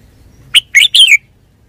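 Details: Single phrase of Red-whiskered bulbul song: a clear note followed by two rich, bubbly slurred notes falling slightly at the end, delivered quickly and loudly against a quiet background.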